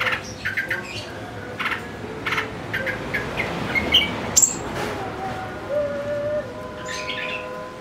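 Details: Long-tailed shrike heard on a lure recording meant to provoke excited singing: irregular harsh, rasping, broadband notes in short bursts, a brief whistled chirp near the middle, and a steady low traffic rumble underneath throughout.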